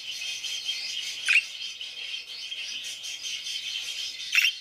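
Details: Parakeets chirping: a steady high, dense twittering chatter throughout, broken by two sharp, louder chirps near the start and end.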